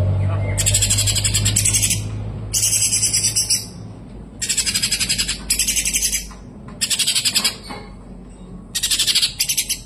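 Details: Kapas tembak (white-eye) in full, clear, long song, kept for tutoring other songbirds: bursts of very high, dense, rapid chattering twitters lasting about a second, repeated every one to two seconds over a steady low hum.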